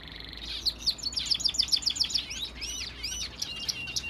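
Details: Fife canary hen, kept as a pet, singing while busy building her nest; fast series of high sharp chirped notes in quick repeated trills, followed by looser sweeping whistled phrases.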